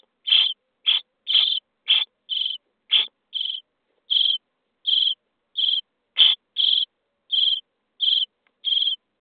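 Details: Common starling nestlings on day 23 in a nest box, begging while being fed: a steady run of short, harsh, rasping bursts, about sixteen in nine seconds, evenly spaced and sharply cut off, with no other sounds.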